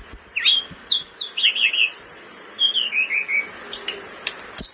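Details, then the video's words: Caged blood-breasted flowerpecker in breeding condition, recorded for tutoring songbirds: cascading high whistles stepping downward in a long descending sequence, followed by sparse sharp clicks. "Tledekan gunung gacor ngamuk over birahi,terbaik buat masteran"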